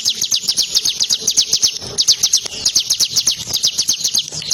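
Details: A tame bar-winged prinia sings at once while being played with by hand, giving fast repeated high, thin downslurred notes in an unbroken run of about four per second.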